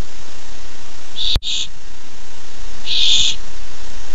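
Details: Barn owl owlet on a nest camera, excited at treat time, uttering short harsh hissing screeches, two close together, then a longer one after a pause, with a brief click and steady low hum.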